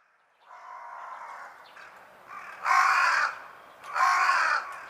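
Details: Carrion crow giving its everyday call: one long, hoarse, drawn-out caw followed by two louder, harsh, rasping caws about a second apart, in a quiet outdoor setting.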